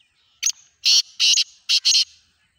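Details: Black francolin (kala tetar) calling in a grating series: a brief scratchy opening note, then two long harsh rasps, then a quick pair of rasping notes. The background is otherwise quiet.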